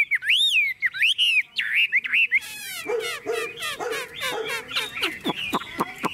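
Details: Tame Chinese hwamei singing in a cage that is carried and shaken: clear looping whistles at first, then a fast jumble of harsh, buzzy and rattling notes ending in sharp downward strokes.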